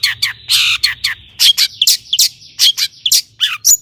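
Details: Long-tailed shrike in full song, used as a lure to get other shrikes singing: a rapid run of harsh, buzzy bursts mixed with short sharp chirps and whistled notes, packed closely together, with a faint low hum behind.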